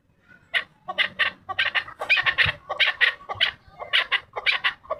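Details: Chukar partridge calling loudly in a fast, steady run of harsh, chattering chuck notes, several per second, with little background noise.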